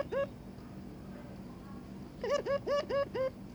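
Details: Courting Barbary dove with its mate: one upturned note, a pause with faint background hum, then a quick series of five rising, hooked notes in steady rhythm.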